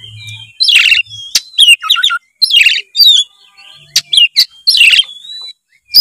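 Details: White-rumped shama song to encourage a lazy juvenile to sing: long thin whistles between harsh buzzy bursts and crisp clicks, repeated in lively phrases.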